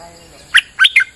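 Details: Bulbul lure call on a rainy day: three short, loud, liquid whistled notes in quick succession, the middle one rising and falling.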